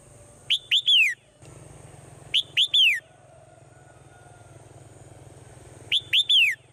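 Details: Swallow singing in the morning: a phrase of two short high chirps followed by a longer whistle that slides downward, repeated three times with pauses of a few seconds, over a steady low hum and a faint high tone.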